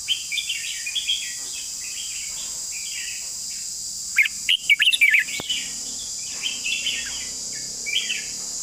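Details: Red-whiskered bulbul singing short, bubbly warbled phrases at irregular intervals, with a louder burst of rapid chirping notes midway, over a steady high insect buzz.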